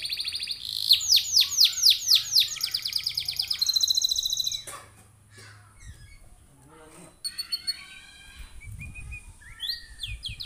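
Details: Canary singing as a lure to make other canaries sing along: bright, fast repeated falling notes rolling into a high trill, followed by softer scattered chirps and a faint rising call at the end.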